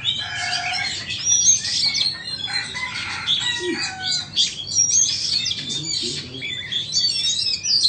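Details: Oriental magpie-robins, a Vietnamese and an Indonesian bird in a singing competition, pour out crowded, varied phrases: piercing whistles, rasping notes and steady mid-pitched whistled tones, with a brief low knock in the background.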